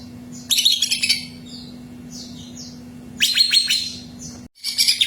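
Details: Greater green leafbird singing, meant to coax another bird into song: two dense bursts of bright, high chirping and trills, separated by soft downslurred whistles, over a constant low electrical hum that briefly cuts out.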